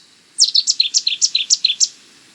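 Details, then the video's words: Cetti's warbler of reedy marshes and scrub near water delivering its explosive staccato song: a rapid, even series of about ten loud, rich, clipped notes lasting roughly one and a half seconds, in quiet surroundings. "Cetti's Warbler - Songs"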